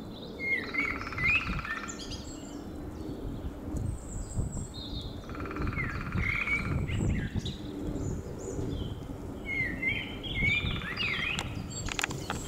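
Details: Lesser spotted woodpecker at Meijendel: three bursts of thin, rapidly repeated high notes roughly every four seconds, with other small birds chirping and a low rumble of wind or traffic.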